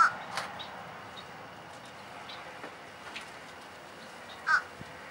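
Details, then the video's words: A fish crow gives two short, nasal caws, one at the start and one about four seconds later, against a quiet background with a few faint clicks. "Fish Crow got things to say!"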